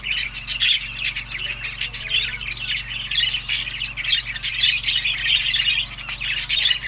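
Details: Several pet budgerigars eating summer food, kept in good health: dense, continuous chatter of squawky chirps and warbles, with short sharp notes overlapping throughout and no pauses.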